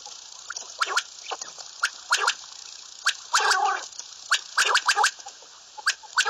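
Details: Common quail, locally called Bater, giving sharp clicking notes in quick pairs and triplets at irregular intervals, with one longer harsh, rasping burst in the middle; recording sounds heavily processed with a constant background hiss.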